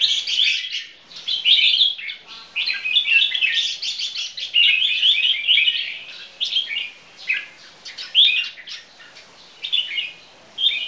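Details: Caged crossbred bulbuls of Red-whiskered Bulbul descent in display song; near-continuous rich warbling with rapid slurred notes and occasional brief pauses, two birds singing against each other.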